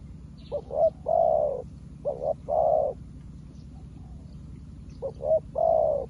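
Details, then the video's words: A spotted dove kept as a decoy, new but calling wild birds like an old hand: three coo phrases of short double notes ending in a long steady coo, with a pause between the second and third. "លលកថ្មីមែន តែធ្វើហៅព្រៃដូចធ្នាក់ចាស់"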